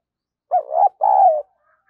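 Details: Spotted dove decoy bird in full voice: one broken, wavering hollow coo, then a smooth sustained note that fades slightly downward, recorded close and clean.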